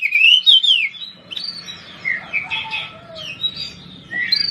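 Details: Poci-type Oriental magpie-robin, a judges' pick, singing to provoke rival birds: bright slurred whistles opening loudly, followed by softer varied warbling phrases and a faint low background hum.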